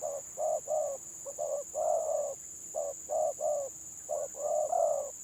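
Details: Village spotted dove singing in the 'gagap' stuttering style in a bird-versus-bird match: clusters of two or three clipped coos, then a longer swelling coo, repeated in quick succession over a constant high tone.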